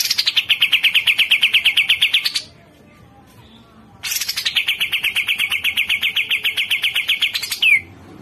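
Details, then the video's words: Grey-cheeked bulbul (cucak jenggot) tutor recording: a pair of extended, rapid chattering phrases of repeated downward-slurred notes, separated by a brief silence, the later phrase closing with a falling squeak. "Masteran Cucak Jenggot"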